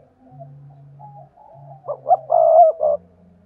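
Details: Decoy spotted dove cooing in the two-ending calling style to lure wild doves: faint low murmurs, then one loud phrase of short gruff notes and a long drawn coo near the end.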